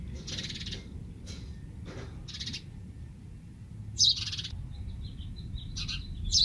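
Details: A house sparrow chick, found on the ground beside a house and reunited with its mother, gives harsh, high, buzzy begging notes in short bursts about every second, over a low background rumble.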